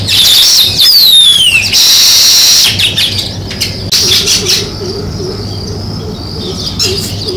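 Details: Sparrows chirping in a thick, high chorus; a loud descending whistled sweep and a bright burst come early, then the chatter thins while a lower wavering call repeats beneath it.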